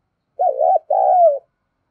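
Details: Single cooing phrase from a spotted dove kept as a decoy to attract others: two low, hollow notes, the second longer and easing downward at the end, with no other sounds.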